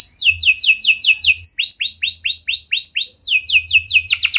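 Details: Canary song in the Indonesian gacor style, meant as a lure to get other canaries singing: fast trills of sharply falling notes in several distinct tours that shift in pace, with a faint low hum underneath.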